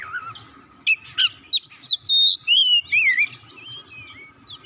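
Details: Oriental magpie-robin song played to stimulate other birds: a series of clear sustained whistles and wavering slides, some long held notes, interspersed with brief sharp chirps, over a quiet background hum.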